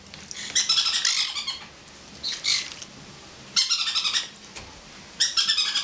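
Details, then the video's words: Pet male pineapple conure on a person's head giving its laugh; four rapid, choppy bursts of stuttering harsh notes separated by pauses of about a second, another bird bathing nearby. "Laughing Conure"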